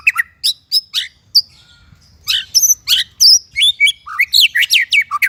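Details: White-rumped shama in varied song: snappy downslurred whistles and chirps, a brief pause, then a dense, jumbled medley of high whistles, buzzy notes and rich lower slurs.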